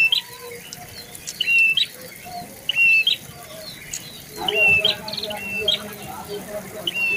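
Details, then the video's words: Prinia, known locally as prenjak bawah or lumut, giving short high whistled notes, each a flat tone ending in an upward flick, repeated roughly every second in bursts; faint lower chirps and a rustling, murmuring background join after four seconds. "BURUNG PRENJAK BAWAH / LUMUT"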